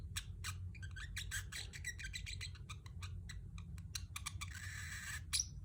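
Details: Chirping Pacific parrot offered as a companion sound for pet birds; dense, rapid high chirps and clicks in quick irregular bursts, a brief rasping noise near the end, with constant low hum beneath.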